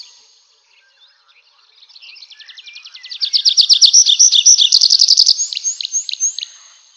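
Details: Nightingale at night in a forest: a quiet start swelling into a crescendo of fast repeated high notes, then a few separate sharp downslurred whistles as it fades.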